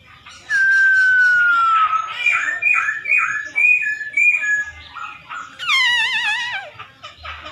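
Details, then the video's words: Provocative song of a Chinese hwamei: a long falling whistle, a chain of short wavering whistled notes, then a loud warbled phrase sweeping downward, over quiet low background noise. "OCEHAN Poksay Hongkong Gacor Efektif Bikin Burung Kesayangan Bos q Ikut Emosi + GACOR"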